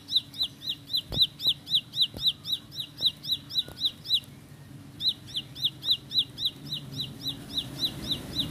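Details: High, rapid chipping song of a bar-winged prinia (ciblek sawah or ciblek pari) in fast rolling style, notes evenly spaced about four per second, briefly interrupted, then continuing over a low background rumble.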